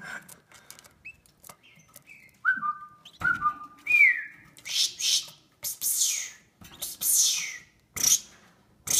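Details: Female Gloster canary giving a few short clear whistled notes, some slurred upward, in the first half, followed by loud repeated broadband rustling or scratching bursts.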